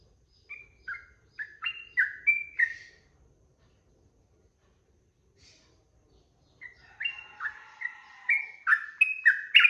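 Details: Sooty-headed bulbul 'ropel' song meant for training birds: a quick phrase of slurred whistles, a silence of about four seconds, then a denser, louder run of chattering whistled notes.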